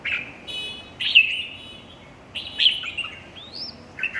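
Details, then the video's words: Red-whiskered bulbul singing in a contest. Rich, slurred whistled phrases come roughly every one to two seconds, with a brief buzzy overtone and a rising clear note near the end. "chào mào thi đấu 3"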